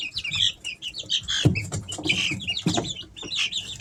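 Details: Several three-week-old Easter Egger chicks indoors in summer, peeping continuously in high, clipped notes that overlap, broken by sharp taps and scratching sounds.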